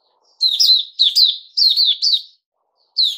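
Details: Caged Puteh Raja bulbul after a fruit juice and mealworm feed: three clear bursts of paired bubbly chirps, each burst about half a second long with short gaps, then one more note at the end.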